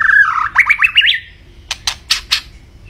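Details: White-rumped shama (murai batu) in full song: a rapid rising trill of whistled notes followed by four sharp broadband clicks.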